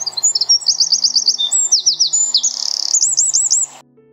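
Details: A Eurasian Wren, a UK bird, pours out a loud, high, rapid song of sharp notes, fast trills and rattles, under four seconds long, with faint soft music underneath.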